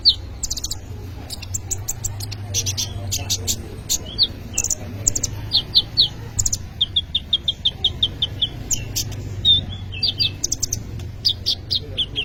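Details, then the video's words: Lively song of a kolibri ninja sunbird, offered as a lure or tutor for young birds: long series of very high, rapid ticks and chirps, with short trilled runs of evenly spaced notes. "kolibri ninja gacor cocok untuk pancingan atau maateran burung bahan"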